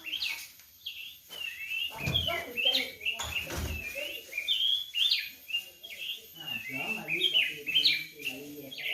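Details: Orange-headed thrush (anis merah) singing: a steady run of varied, warbled whistled phrases, bright and slurred, coming about twice a second, with faint human voices murmuring underneath.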